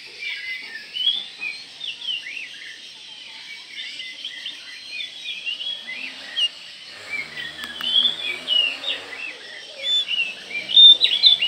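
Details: White-rumped shama call that provokes other shamas: a dense chatter of short whistled and chirped notes, many slurred up or down, repeated throughout and growing louder and busier toward the end.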